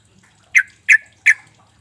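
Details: Sooty-headed bulbul call used as a lure to prompt silent birds to respond: three sharp, loud squawky notes spaced about a third of a second apart, otherwise quiet.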